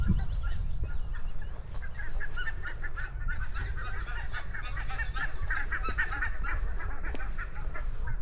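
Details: Geese on open grassland calling in a busy, overlapping chorus of short nasal honks that run almost without pause, heard under a heavy low rumble of wind and walking.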